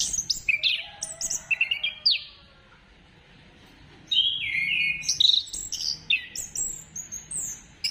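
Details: Lure song of an orange-headed thrush to prompt singing: rapid bursts of sharp, high whistled and chattering notes, a two-second silence, then a fresh run of varied sweet whistles and slurs.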